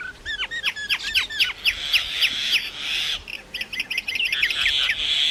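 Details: Common myna singing and making different sounds: a run of quick descending slurred whistles, then a rapid series of sharp ticking notes, with a harsher band near the end.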